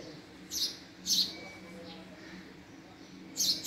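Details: House sparrow making three isolated high chirps, two close together near the start and one more after a quiet pause.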